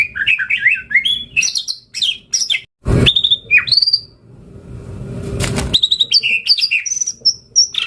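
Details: White-rumped shama (murai batu), a prolific singer, recorded as a lure and tutor song to prompt other shamas to answer. It sings a rich run of varied whistles and rapid trills, with two brief bursts of harsh broadband noise partway through.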